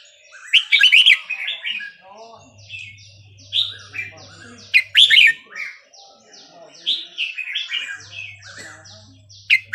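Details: Burmese-style song, 3-4-5-6, of the red-whiskered bulbul, used to train young birds and excite caged ones. Dense overlapping whistled and chattering phrases with strong bursts near the start and middle, high buzzy repeated notes, intermittent low hum.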